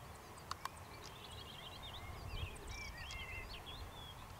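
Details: An African stonechat gives two sharp, stony tak clicks in quick succession, with faint high chirps and twitters from other small birds over steady low rumble.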